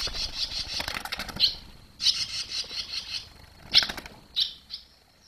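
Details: Barn swallows around the nest as the young fledge, 21 July 2023: dense high twittering mixed with wingbeat flutters and some rustling noise, bursts of chirping broken by brief quieter gaps.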